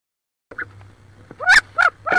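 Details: Squabbling wood duck hens inside a nest box near Richland, Washington, one with about 18 eggs: after a faint squeak, three loud harsh descending squeals in quick succession over a low hum.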